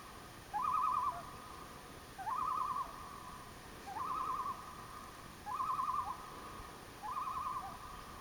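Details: Common loon calling at a lakeside campsite near Elliot Lake, Ontario, on July 27, 2015. It gives quavering, rapidly wavering mid-pitched notes, each about half a second long, repeated five times roughly every second and a half over a steady hiss.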